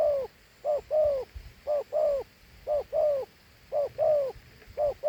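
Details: Handsome large dove repeating a two-part coo: a brief note, then a fuller, falling coo. The pairs come at a brisk, even pace, about one per second, against faint low rumble.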